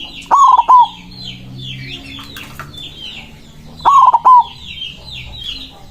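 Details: Two loud coo phrases about three and a half seconds apart from a big-voiced white zebra dove challenging rivals, each with a long first note and two short coos, amid high chattering of small birds.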